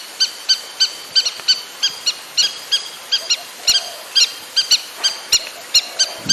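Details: Outdoors, a river lapwing repeats sharp, high, metallic notes roughly every third of a second against steady background hiss.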